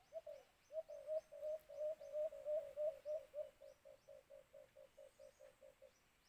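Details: White-eared brown dove (alimokun) calling where birds are caught with a cage trap: a long train of about seventeen low hoots, loud and quick at first, then fading and steadying toward the end.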